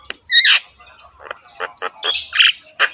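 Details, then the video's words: Javan myna song in harsh style, head bobbing as it sings, used as a master recording for training mynas: a loud rasping note, then scattered squawks and sharp chips with pauses between. "BURUNG JALAK KEBO GACOR SUARA KASAR, MANGGUT-MANGGUT FULL ISIAN MEWAH"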